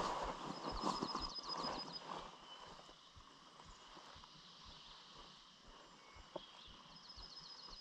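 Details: Dark-eyed junco (Junco hyemalis) singing a quick, even, high trill twice, early morning at a beaver meadow in the Pepperbox Wilderness, northwestern Adirondack Park, over steady outdoor rumble and soft footstep-like thumps.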